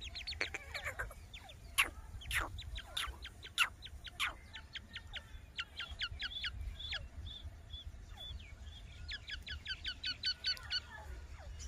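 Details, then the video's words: Grey francolin chicks give thin, high peeps in quick bursts, several per second with brief pauses, over a low background hum. "cute baby teeter voice"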